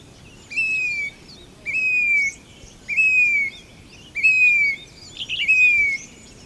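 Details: Grey-bellied cuckoo, also called Indian plaintive cuckoo, giving clear whistled notes that slur downward, five of them about every 1.2 seconds, with thin high chirps from other birds in between.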